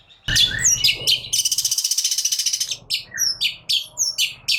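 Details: Agitated Long-tailed shrike in full gacor nembak singing: scratchy chirps lead into a fast, even run of grating notes, then sharp high whistled phrases with short gaps.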